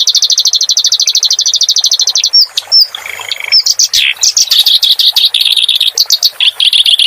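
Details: Clamorous reed warbler singing in a recording made to train cage songbirds, with water sounds added. A rapid, even, buzzy trill breaks into varied sharp whistles, chips and scratchy chattering phrases.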